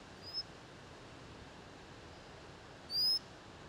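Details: White-capped redstart, locally called chafi, recorded in Nainital, Uttarakhand, India: a faint thin rising whistle near the start, then a louder, clear, high, slightly upslurred whistled note about three seconds later, over steady background hiss.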